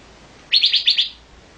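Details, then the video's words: Olive-winged bulbul giving a single short burst of five fast, buzzy chipping notes. "olive-winged bulbul"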